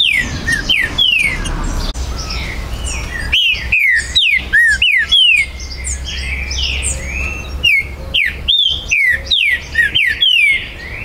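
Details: Repeated loud phrases of a green-winged saltator, recorded at a Brazilian breeder's premises on 19 September 2020: ringing whistles sliding downward, delivered in quick groups with short gaps, with soft chirping of other birds behind.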